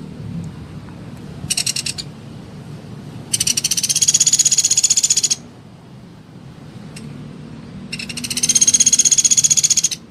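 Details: Call of a rufous piculet, meant to encourage other piculets to start calling. One short and two longer runs of quick, shrill, rattling pulses at a steady rate, with quiet gaps between them and faint background hum.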